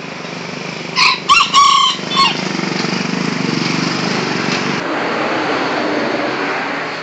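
A bantam rooster gives a short, high, broken crow over a steady motor drone.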